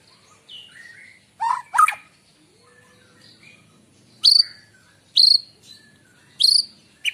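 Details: White-rumped shama singing in the morning for luring birds: soft mellow whistles, then loud sharp chirps and high ringing whistled notes spaced roughly a second apart.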